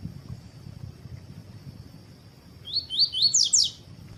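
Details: Double-collared seedeater singing tui tui style, paired with a female to warm him up for tournaments. One short phrase late in the clip: several fast upward-slurred whistles, then sharper high notes, over a continuous thin whine.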